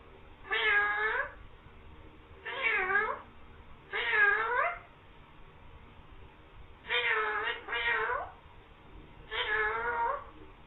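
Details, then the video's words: A green parrot said to be talking "mian mithu" and meowing gives five drawn-out, cat-like meows, one doubled, each about half a second long, roughly every two seconds in a quiet room. "parrot talking saying mian mithu meow"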